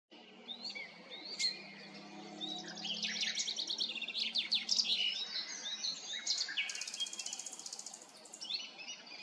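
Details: Nightingale singing at Arcais, France: a rich, varied outpouring of whistles, rapid buzzy trills and sharp chirps. It ends in a long, very high, rapidly repeated rattling phrase. A low hum runs underneath.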